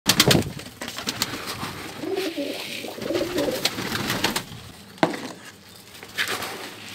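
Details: Pigeon cooing: soft, low, throaty coos roll between about two and four seconds, under frequent sharp clicks and knocks.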